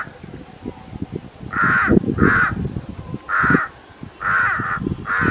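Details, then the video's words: Crow calling: five harsh, nasal caws, each about a third of a second, given in pairs and singles over five seconds, with low rustling and murmuring background noise between them. "Crow birds original sound"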